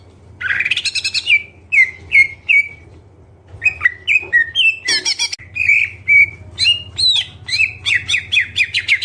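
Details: Greater green leafbird singing actively with a song full of fill-in phrases: a long chattering, rising burst, then short sharp slurred whistles repeated roughly twice a second, with a steady low hum beneath.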